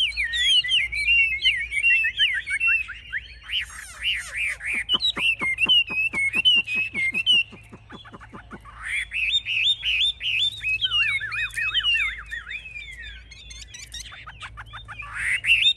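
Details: Chinese hwamei in a cage, a strong fighter showing wings high and tail fanned: wavering whistled song, then a long series of rapid dry clicks, followed by more rolling, looping whistled phrases.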